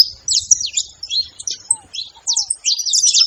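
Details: Saffron finches in a noisy group, giving bursts of fast, sharp, high-pitched chirps and twitters separated by short gaps, plus two brief soft lower whistles near the middle; background otherwise quiet.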